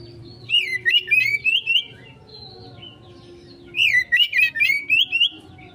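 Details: Oriental magpie-robin 'konslet' lure song: two energetic bursts of rapid looping whistles mixed with sharp clicks, separated by a near-silent gap, over a faint steady hum.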